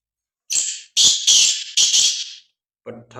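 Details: Black francolin calling: a short harsh note then several loud rasping, buzzy phrases in quick succession over about two seconds, followed by a brief low human voice at the end.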